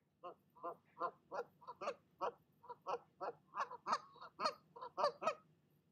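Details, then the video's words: Mother goose at her nest keeps scolding an intruding goose after it leaves: an unbroken run of rapid, hoarse honks, roughly three per second, growing louder toward the end. "Mama Goose does NOT like visitors, and she'll let you know it!"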